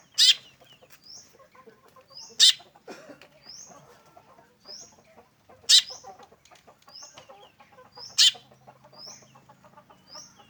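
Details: Black drongo giving its unique call: loud, harsh, rasping bursts repeated at irregular intervals of two to three seconds, each followed by short high upslurred whistles, with faint chattering in between.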